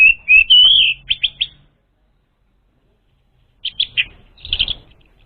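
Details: Orange-headed thrush song as a lure for an untrained bird: slurred whistled phrase followed by quick chirps, a two-second pause, then a burst of sharp notes.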